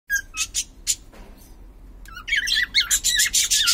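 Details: Pet cockatiel of unknown sex calling: a few sharp high chirps in the first second, a short quiet gap, then a loud burst of rapid wavering, warbled whistles that builds toward the end.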